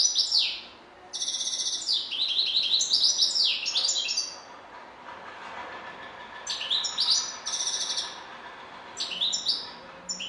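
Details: Varied European goldfinch song with bright twitters, rapid descending slurred notes and tinkling runs, in two long outbursts separated by a couple of seconds of near silence.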